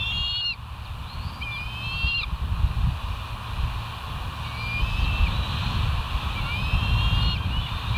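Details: Bald eagles at the West End nest on a live nature camera, 4 August 2023, early morning at 05:22. Short bursts of high, thin, wavering piping notes come at intervals, partly masked by a strong low rumble of wind.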